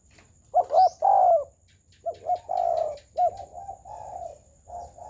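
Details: Spotted dove giving a full, round coo ('gù tròn'), with a wing-flicking style. Low, mellow coo phrases in four short bursts, each opening with a quick double note and then a sustained hum. A faint steady high tone runs throughout.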